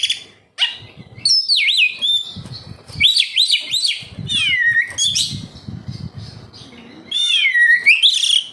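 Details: Kacer, or oriental magpie-robin, singing gacor as a lure for kept birds: looping whistled slurs and rich warbled phrases, varied and rapid, over a low murmur of background noise.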